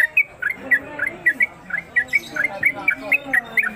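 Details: Sooty-headed Bulbul kept in a cage, delivering its fast 'konslet' song suited for tutoring other birds: short liquid whistled phrases of two or three notes following one another closely, with a low murmur in the background.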